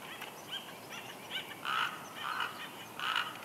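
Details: Soft whining from a female bald eagle at her nest, Big Bear Lake, California, March 2021, as her mate brings a headless fish. A run of short, plaintive notes repeats about every half second, growing a little louder toward the end.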